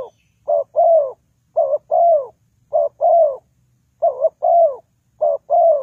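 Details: Spotted dove calling as a lure for trapping: soft, low cooing phrases, each a short doubled note followed by a longer falling coo, repeated about once a second in a quiet setting.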